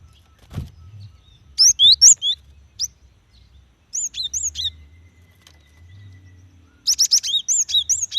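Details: A female cinereous tit calls for a male in rapid, high chirping phrases. Three separated bursts of quick two- and three-note tweets, the last a dense rattling run, over faint low background hum.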